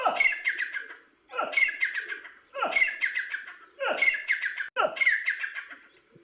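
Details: A tame grey francolin at a house in Kashmir (Dadyal, Pakistan), trained to call only to its owner's voice, gives five loud, harsh, ringing calls in a row, each about a second long and just over a second apart.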